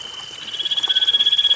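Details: Common iora song meant to coax silent birds to sing: a steady, high whistled note that grows louder and carries a rapid quavering pulse throughout.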